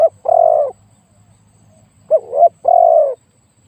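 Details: Luring spotted dove with a very big voice: a long steady coo, a pause of over a second, then a wavering short note and another sustained coo.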